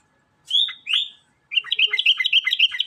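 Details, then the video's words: Sooty-headed bulbul singing in a lively, chatty way: two loud slurred whistles, a short pause, then a fast run of bright chirping notes repeated about five times a second, with a quiet background. "kutilang gacor"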